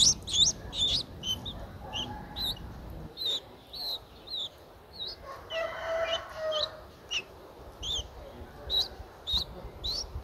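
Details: Streak-eared Bulbul chick aged nine days, eyes open since day seven, recorded 11 April 2023 in Ubon Ratchathani, Thailand. Shrill, hooked squeaks come in irregular bursts, broken around the middle by a lower, harmonic, nasal call.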